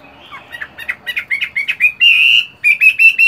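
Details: Moulting Chinese hwamei in a cage, morning song practice: a quick stutter of short chips building into a long, strong sustained whistle, followed by fresh rapid slurred notes.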